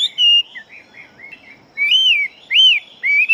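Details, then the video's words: Fast-singing Chinese hwamei fighting bird giving a few strong, clear whistles that slur downward, with softer warbled notes between them. "Họa Mi Chiến Siêu Mau Mỏ Bộ To Hót Tốt"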